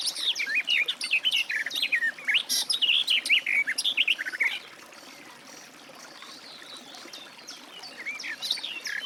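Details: Garden warbler singing a fast, rich warble of varied high chirps and slurred notes for about four seconds, then quieter with a faint phrase at the end.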